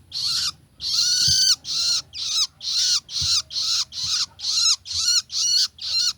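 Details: Juvenile long-tailed shrike gives harsh, raspy, buzzy calls repeated about twice a second. Each call is a noisy broadband burst with a slight downward curve, in a steady series of eleven calls over low background rumble.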